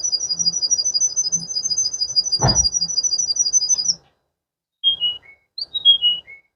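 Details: Water canary delivering a fast, high, even trill of rapid repeated notes for about four seconds, a brief thump midway, then a pause and two falling whistled phrases.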